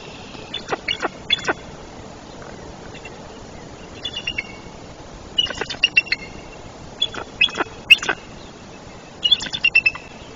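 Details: Nesting female eagle in a tree at Trempealeau, Wisconsin, on 04-03-2024, just after her first chick hatched, calls for her mate, who has been absent six days. Thin, high chittering notes come in quick bursts of three to five, about six bursts over ten seconds.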